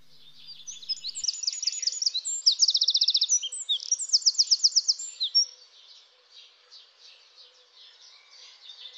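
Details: Eurasian wren song: a loud, high, fast outburst of sharp notes and rapid trills lasting about five seconds, then quiet with faint distant bird calls.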